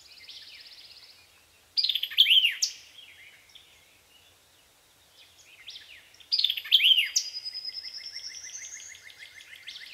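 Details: Land Between the Lakes, Kentucky, 2010: a white-eyed vireo sings loud, abrupt phrases of clipped, slurred notes roughly every four to five seconds, with softer buzzy trills and a thin, rising whistle from other birds behind.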